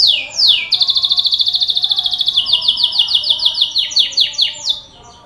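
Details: Lure recording of a singing canary to get other canaries singing: a descending whistle leads into a long, fast, even trill, then repeated swept notes and a quick, high rolling phrase that fades out.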